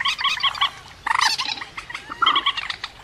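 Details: Rail calling, recorded as a trapping lure: bursts of quick nasal notes, then a louder harsh squealing phrase, followed by more clipped repeated notes.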